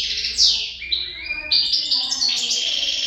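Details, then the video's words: European goldfinch pair in song, a continuous run of quick twittering and tinkling high notes mixed with brief buzzy slurs, lively and unbroken throughout. "couple chardonneret"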